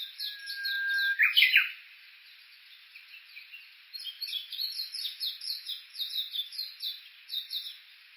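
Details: Japanese bush warbler on Uguisu Road below Mt. Yakushi in Kuga, Suo-Oshima, Japan, captured on an Olympus Voice-Trek V-82 while walking: a long steady whistle ending in a loud quick flourish, then a run of fast repeated high notes.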